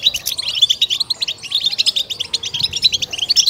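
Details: European goldfinch song played to stimulate and excite kept goldfinches; continuous rapid chattering twitters and sharp tinkling notes in an unbroken stream.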